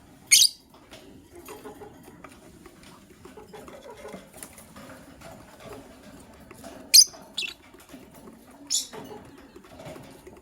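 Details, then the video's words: Lovebirds, a gray one ready to lay eggs and a yellow-green one, heard in the morning: a few sharp, harsh high chirps spaced several seconds apart over faint low background noise. "Yellow Green Lovebird's melodious chirping sound"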